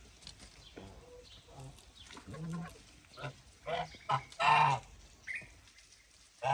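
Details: Domestic white geese on a farm giving harsh, nasal honks in short bursts, louder toward the end, with people talking in the background.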